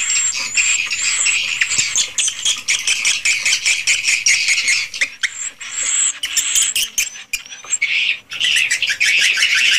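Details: Swiftlets in a swiftlet house, original recording. Rapid rattling pulses and dry clicks, fast and uneven, over high shrill chatter; a short quieter stretch with isolated sharp clicks before the dense twittering returns.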